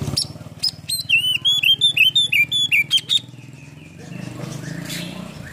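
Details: Oriental magpie-robin (kacer) lure song used to rouse silent birds. A quick run of about ten sharp, evenly spaced whistled notes over a steady low hum, then only background noise.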